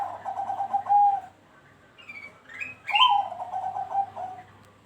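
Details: Bangkok-type zebra dove singing on a lure recording meant to prompt other doves to join in: two soft, stuttering cooing phrases, each opening with a bright note and then a rapid burst of low coos, separated by higher, rising whistled notes.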